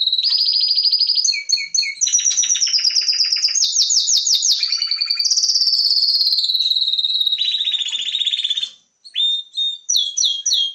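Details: A canary sings a long varied song: ringing trills at several pitches, a run of sweeping slurred notes, a sustained warble, then after a brief pause a few short separate chirps.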